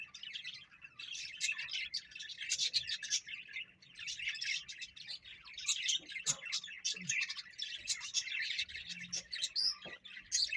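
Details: A steady stream of fast, high twittering from a parrot, with sharp chirps and squeaks packed closely throughout and a low background hum.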